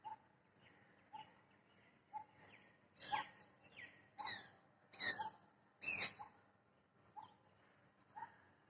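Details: Parrot perched in a tree: faint, distant harsh screeching bursts, about one a second, louder in the middle and then fading, with soft repeated lower notes between them over a quiet, steady background hum.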